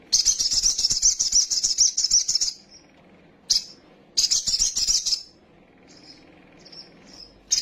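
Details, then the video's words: Sunbird in an excitable full song: a long, rapid, high-pitched tinkling chatter lasting over two seconds, a sharp chip, another chattering burst, then faint short high notes. "PANCINGAN BURUNG KOLIBRI SOGOK OTONG BAHAN CEPAT EMOSI BUNYI FULL ISIAN SOGON NGELEPER"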